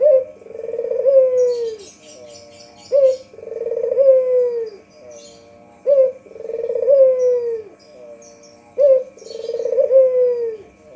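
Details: Lure call of a white Barbary dove: about four cooing phrases in eleven seconds, each a brief hard note plus a throaty, rolling trill dropping in pitch, steadily repeated, with some faint high chirps from other birds above.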